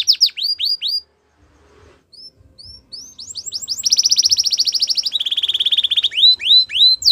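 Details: Belgian canary with bright upswept whistles, a short pause, then a rapid buzzy trill shifting to a lower trill and ending in rising whistled phrases.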